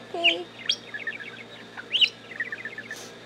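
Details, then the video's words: Pet talking budgie indoors, chattering in quick bright chirps and short rising whistles, with a rapid run of clipped notes repeated twice and a low hum underneath. "Baby Bird says Good Morning"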